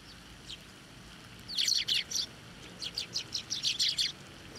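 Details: Group of sparrows fed by hand and on posts at a Tenmangu shrine, 24 November 2023; quiet opening, then two runs of sharp repeated chirps, the second a steady series of about eight notes.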